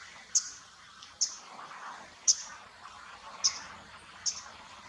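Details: In Japan in autumn or winter, a Common Kingfisher gives five sharp, very high piping notes spaced about a second apart, over a soft background hiss.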